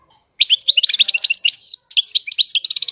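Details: European goldfinch delivering a rich twittering phrase with a drawn-out whistled note in the middle, then more rapid chirps ending in a quick rattling trill.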